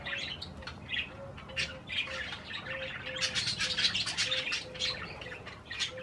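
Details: Budgies eating cherry tomatoes chatter with quick chirps and warbled squawks, over a low repeated short whistled note sounding about twice a second.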